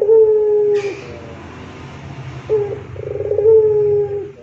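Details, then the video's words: Rintihan-style coo of a gacor puter pelung, played as masteran to get doves singing: a long sustained low note ending abruptly in a brief hiss, a quiet gap, then a short hoot and a rolling trill stretching into a long moan. "Masteran Rintihan Puter Pelung Gacor Istimewa Bikin Puter jadi Rajin bunyi"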